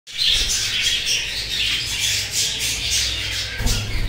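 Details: Budgerigars (Melopsittacus undulatus) of the black-face black-wing colour variety chatter in a dense, continuous stream of high, scratchy chirps and warbles.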